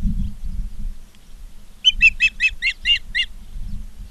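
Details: Ospreys at Charlo, Montana, live nest cam, 19 August 2023, 16:05: after a quiet spell, a quick series of about seven sharp, evenly spaced chirps, bright and slightly buzzy; light low background noise.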